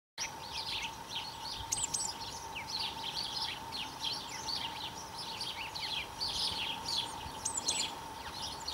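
Great tit calling in quick, high chips and short twittering notes that come almost constantly, over a steady, faint humming tone.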